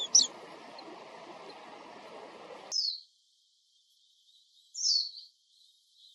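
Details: Wild Japanese white-eye, compact-camera recording during a walk: a sharp high chirp at the start, then thin, slightly descending calls, with background hiss dropping out partway.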